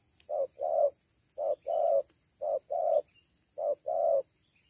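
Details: Dove (kuku) with a loud, big voice, said to bring two birds straight down at once; low hollow coos in pairs, a short note then a longer one, the pair repeated about every 1.2 seconds, with steady high hiss behind.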